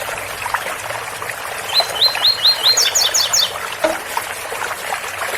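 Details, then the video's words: Double-collared seedeater, Ouro Fino tui-tui song, water-spout sound behind: four or five rising whistled tui notes speed into a brisk higher doubled trill, followed by a low note, all over continuous splashing water. "Tui Tui especial coleiro Ouro Fino com som de bica"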